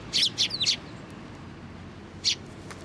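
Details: Sparrows flying in to take food from a post at a Tenmangu shrine on 25 April 2024: a quick run of three sharp, high chirps, then a pause and one more chirp.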